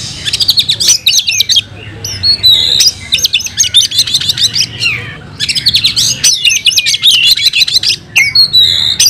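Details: Oriental magpie-robin kept in a cage, singing its fighting song full of imitated phrases: three loud, rapid bursts of shrill, scratchy chatter separated by brief pauses, mixed with whistled notes and sharp ticks.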